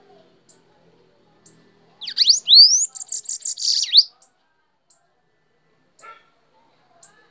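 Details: Sibite, or Bananaquit, singing on a hand: a two-second high burst of sharp swept notes, a rising whistle and quick buzzy pulses, followed by isolated thin high ticks spaced about a second apart.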